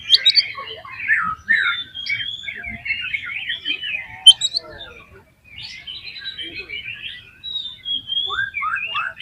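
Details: Oriental magpie-robin singing smoothly and continuously as a lure for other magpie-robins: rich mix of rising and falling whistles, twittering runs and sharp notes, with a brief pause near the middle.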